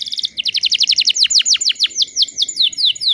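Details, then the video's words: Singing canary hen used to excite males: a dense run of rapid sharply falling notes, about seven a second, bright and chattering, with a steady tone under them and faint low background noise. "PANCINGAN KENARI BAHAN TERBARU PASI BIKIN GACORR"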